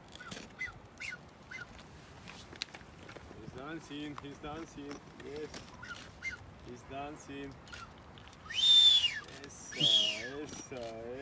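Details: Blue-footed boobies on the Galapagos Islands, an older male courting a female already sitting on eggs: short, harmonic, wavering calls come in bursts, with Spanish speech and music around them.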